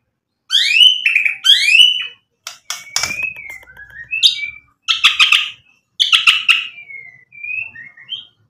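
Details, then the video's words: Singing white-rumped shama, its song used to stir other birds to answer: two upswept whistled notes, then crackling chatters alternating with thin sliding whistles and short bursts, with small pauses between phrases. "MURAI BATU GACOR bikin EMOSI Langsung NYAUT BUNYI BONGKAR MATERI ISIAN ampuh buat PANCINGAN"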